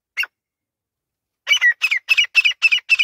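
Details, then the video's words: Male grey francolin calling: a short squawk, then a rapid run of harsh, repeated chattering notes about four per second, loud and clear with no other sounds. "Male Teetar ki awaz"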